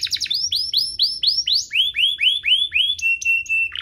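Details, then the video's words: Canary song used to prompt caged canaries to sing and to tutor young birds: brief buzzy start, then a regular series of rising whistled arcs about four per second, finishing in a flat sustained whistle and a short buzz. "Kompilasi DUO GACOR, cocok untuk pancingan kenari biar gacor, masteran kenari paud"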